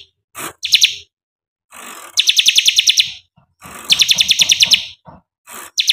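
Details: A bar-winged prinia singing from a single spot on its perch without hopping, delivering loud, high, rapid chirping "shooting" bursts, each about a second long.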